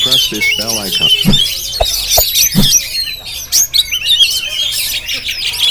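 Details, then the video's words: Oriental magpie-robin, Jampang variety, recorded with a GoPro. Sharp thumps and lower harmonic calls come first, then a dense high medley of whistles and buzzy chatter takes over. "Penampilan Kacer JAMPANG yang Tampil Menggoda"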